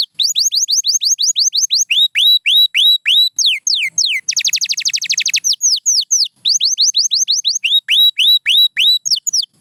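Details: Pure white canary in full song, loud clear whistled notes that arch and sweep downward in quick repeated runs, broken in the middle by a fast rattling trill before the sweeping whistles resume.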